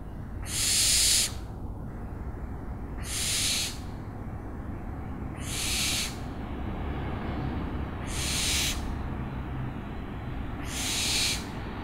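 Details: Owl repeating a hoarse, hissing screech five times, roughly every two and a half seconds, each burst noisy and rasping, the first loudest, with a steady low rumble underneath.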